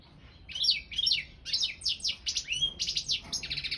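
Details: Balkan goldfinch, Carduelis carduelis balcanica, singing for an internet world championship in goldfinch song organised in Serbia; a rapid, continuous run of liquid twitters, sharp chips and short buzzy trills that grows denser and faster toward the end.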